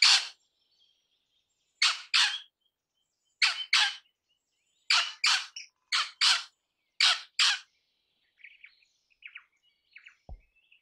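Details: Crimson rosella (Platycercus elegans) parrot calling in harsh rasping screeches, mostly in quick pairs repeated every one to two seconds. A few softer chattering notes follow, and the clip ends with a single low thump.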